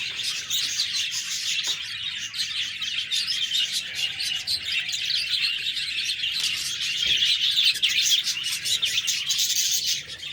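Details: Constant budgerigar chirping, with layered squeaks, trills and rasping twitters that grow slightly louder toward the end.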